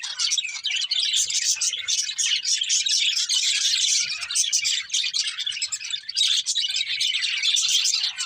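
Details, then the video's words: Pet budgerigars singing as they eat, heard as a thick, unbroken chorus of high twittering and chattering notes from several birds at once. "Happy Budgies Singing and Eating | Love Birds Chirping Sounds"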